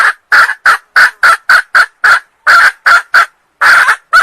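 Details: Sumatran female red junglefowl calling to attract males, giving a fast cackling series of about fourteen short, harsh, clipped notes, evenly spaced with one brief pause midway, on a clean, quiet background.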